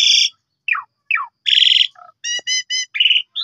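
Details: Asian pied starling song played as a lure to get other birds singing, meant for morning, midday and night: clean, varied phrases of rich harmonic whistles, downslurred notes, short buzzy bursts and a run of evenly spaced ringing notes.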